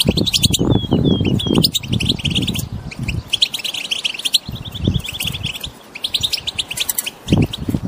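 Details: Wild European goldfinches chirp together to prompt a silent goldfinch into song: sliding whistled notes early, then fast runs of crisp twittering chirps and a series of rapid repeated notes, with low rumble coming and going.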